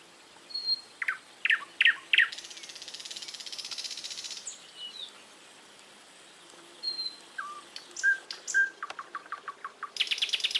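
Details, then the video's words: Outdoor birdsong with clipped high chirps and a long buzzy rattling phrase, a quiet spell, then scattered notes, a run of quick repeated pips, and a final buzz. "голоса птиц"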